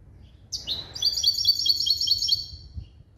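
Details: Goldfinch-canary cross bred from a male goldfinch and female canary, trained to a limpio song: a quick high slur, then a steady ringing trill of repeated bright notes for about a second and a half.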